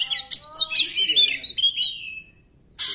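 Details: Oriental magpie-robin, used as a lure to make silent magpie-robins sing, pours out a dense warble of overlapping whistles that trails into a long falling note, a brief gap, then another burst.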